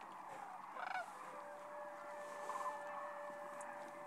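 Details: Sandhill cranes on March migration through Nebraska's Sand Hills, roosting on the Platte River, give two brief, rolling, trumpet-like calls over a steady background hum, with a faint murmur of other birds in the distance.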